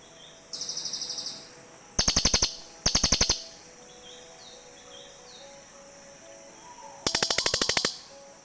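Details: Back-and-forth calling between cililin birds: four bursts of rapid, harsh pulsed trills, each around half a second to a second long, separated by quieter gaps with faint chirping.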